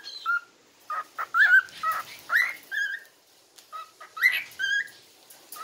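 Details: A cockatiel whistles a learned tune, the Happy Birthday melody, in the morning, in clear, slightly wavering notes.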